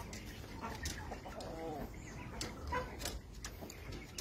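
A rooster gives short, throaty clucking calls over steady background noise.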